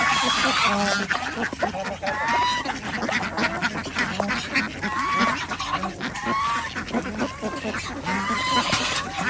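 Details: Flock of ducks during feeding on a local organic duck farm in Andhra Pradesh, sharing the yard with chickens and geese; loud harsh quacks in bursts, some rising harmonic calls, over a constant background of many birds calling.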